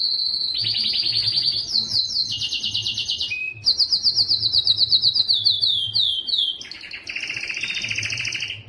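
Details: Yellow canary song made of fast chopped trills alternating between high and lower pitches, a brief low note, then rapid rattling tours and a final doubled trill; faint hum behind.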